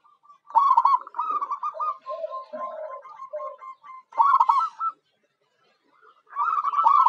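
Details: Lure recording of local zebra dove (perkutut) song for attracting wild birds: bursts of rolling, stuttered coos separated by a brief silence, with lower droning coos beneath the first phrase.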